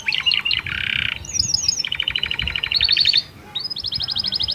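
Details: Canary, a keen singer with unique phrasing, singing to stimulate females and serve as a master for young birds: chips and a buzzy roll, then fast rattling trills climbing into a bright high trill.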